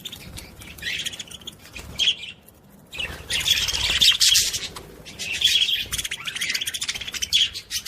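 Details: Budgerigar warble played to stimulate other budgies: dense, scratchy chattering with bright squeaky notes, running in bursts with short pauses.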